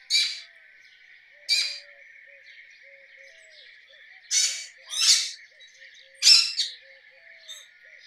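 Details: Harsh, raspy screeches from a rose-ringed parakeet, five loud calls spaced irregularly across eight seconds, with a constant humming drone behind them.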